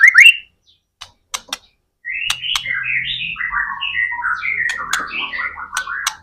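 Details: White-rumped shama in gacor (nonstop) singing, used as a lure to prompt other shamas to sing: a few sharp clicks and short notes, then a rich unbroken warble of varied whistled phrases, rising and falling. A faint low hum sits underneath.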